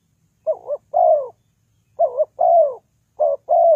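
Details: Three phrases from a spotted dove lure for trapping, each a brief warbled double coo followed by a fuller, falling coo, spaced around a second apart in silence.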